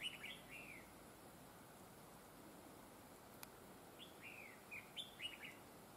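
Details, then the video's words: Red-whiskered bulbul at a trapping site, a bird praised for a very fine double linked voice; a quick burst of bright, slurred chirping notes opens, then after a quiet gap a cluster of short swooping phrases over steady background hiss. "Bẫy chào mào GIỌNG CỰC HAY CÓ GIỌNG KÉP NỐI"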